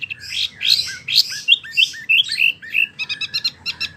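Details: Wambi song used to tutor oriental magpie-robins: a rich, scratchy warble of slurred notes gives way to a rapid staccato of clipped, tinkling chips near the end.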